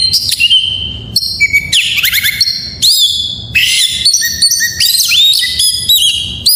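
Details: White-rumped shama singing a rich, varied song used to trigger silent birds into song: quick successions of high clear whistles, swooping slurs and chattering notes in short bursts with brief gaps.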